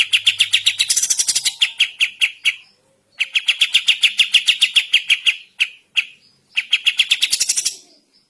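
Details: Energetic morning singing of a sooty-headed bulbul, used as a tutor recording for training birds: three rapid trilled bursts of bright, clipped notes, some rising to shrill peaks, separated by short gaps.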